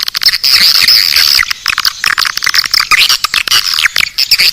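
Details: Calling sound of swiftlets, a 'Naga Birahi' lure: loud, dense twittering chatter with shrill wavering whistles and fast ticking clicks, nearly nonstop, ending in shorter separated bursts.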